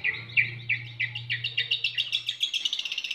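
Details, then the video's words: Long-tailed shrike song played as a training recording to make other shrikes respond and sing: sharp chirping notes repeated faster and faster, about three per second and rising to a rapid run, over a steady low electrical hum that stops near the end. "Cendet Manapun Pasti Ikut Nyaut Dan Gacor,Masteran Cendet stres pasti ikut bunyi"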